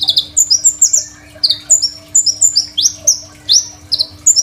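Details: Phone recording of a Crimson sunbird in full, varied song for training other sunbirds: a busy stream of very high, thin slurred whistles and rising sweeps, several notes per second, steady low hum in the background.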